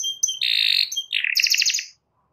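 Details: Canary calling a rival: a thin steady whistle, a harsh buzzy burst, then a short sequence of quick rising chirps that stops abruptly, followed by silence.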